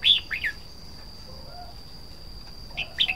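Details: Red-whiskered bulbul opening with two bright, downward-slurring whistled notes, falling quiet for about two seconds, then returning with another quick warbled phrase; a faint steady high tone sounds underneath.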